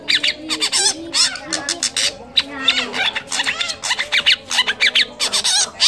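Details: Long-tailed shrike singing a dense, rapid medley of imitated birdsong notes, chattering and twittering almost without pause, used as a training song for other songbirds; a faint low hum runs beneath.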